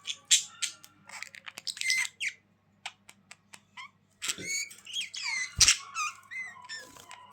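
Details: Budgerigars chirping and squawking in an irregular mix of short clicks, scratchy squeaks and wavering warbled notes, busier in the second half, over a low hum.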